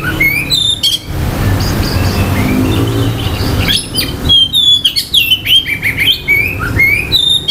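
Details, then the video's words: Oriental magpie-robin song meant to stir other magpie-robins' aggression and breeding urge: a short burst of loud whistled, slurred notes, a pause filled with steady low rumble and faint distant chirps, then a long run of varied sweet whistles and rapid chatter. "KICAUAN KACER || CEPAT MERANGSANG KACER LAIN TERDONGKRAK EMOSI DAN BIRAHINYA."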